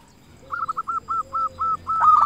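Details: Local zebra dove in full, loud-voiced song, used as a lure to prompt other zebra doves to sing: a row of short, evenly spaced cooing notes, rising into a louder, rolling final phrase, with a faint lower hum beneath.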